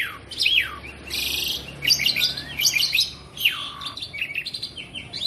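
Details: Asian pied starling in care, singing vigorously: long descending whistles, a harsh buzzy burst, then quick chirps and more falling slurs in an unbroken flow.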